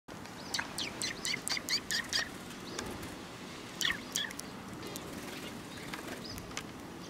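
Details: Sparrows coming to be fed at a Tenmangu shrine on 3 July 2022: a burst of short, high chirps in quick succession over the first two seconds, another cluster near four seconds, with wing flutters and a low background rumble.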